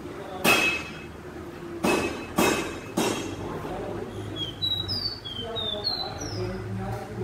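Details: Inside a metalworks, a caged caboclinho of the pé de serra kind follows several heavy industrial thuds with a lively series of high, piercing whistled slurs, fast and slightly varied, while low machine hum continues beneath.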